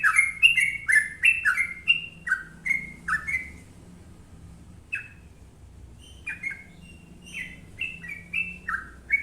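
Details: Trucuk (sooty-headed bulbul) in full gacor song, long ropel style: a rapid burst of bright, slurred whistles, a brief lull, then more spaced whistled notes rising and falling.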